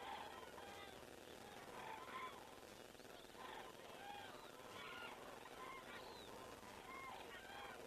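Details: Cranes flying over a crane camera in Estonia at 19:10 in the evening on 19 September 2017. Overlapping trumpeting, honking calls are repeated throughout, with a steady background hiss.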